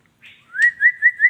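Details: Female white-rumped shama: a short buzzy note, then a rising whistle broken into three or four pulsed, wavering whistled beats.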